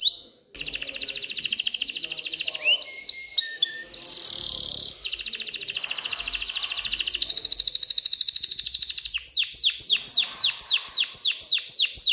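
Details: A canary in breeding excitement sings to spur females toward mating and nest building. Long loud buzzy rolling trills dominate, broken by brief pure tones, and the phrase closes with quick descending whistled sweeps.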